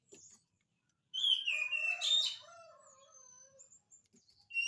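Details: Oriental magpie-robin in 'gacor' song, used to coax a lazy magpie-robin into answering: a long sliding whistle and harsher burst, followed by softer, lower drawn-out notes and scattered chirps.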